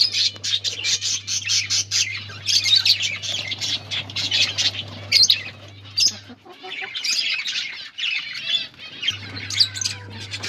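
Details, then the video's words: Colony of breeding budgerigars kept as cage birds, many birds chirping and squawking together in a busy high chatter with sharp clicks and brief quieter gaps, a low hum starting and stopping in the background. "Budgies breeding progress in colony"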